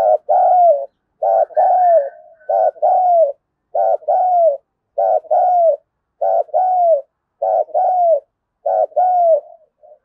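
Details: Spotted dove calling to incite competition: eight rapid coo phrases, one about every 1.2 seconds, each a quick doubled note running into a warm, falling coo, steady and insistent.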